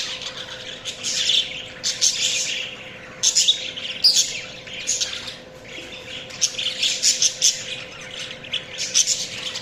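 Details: Chirping budgies give rapid, high, scratchy twitters in irregular bursts. There is a quieter stretch midway before lively chatter resumes, with a faint steady hum throughout.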